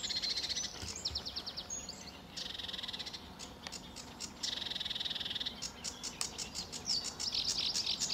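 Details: Early-morning sedge warbler at RSPB Fowlmere, July 2013, singing energetically: harsh buzzy bursts alternating with rapid ticking trills and grating chatter, phrases rushing one into the next.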